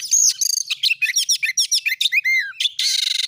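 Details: Oriental magpie-robin song used to provoke rival magpie-robins to sing: quick bright whistles and chirps, a pair of descending slurred notes, then a dry, buzzy rattle at the close.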